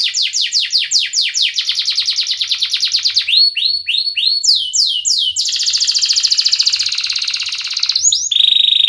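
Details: Canary in 'gacor ngerek' song, played to coax silent and young canaries into singing: quick falling notes speeding into a buzzy trill, a few upslurs, a long rolling trill, ending on a steady high tone.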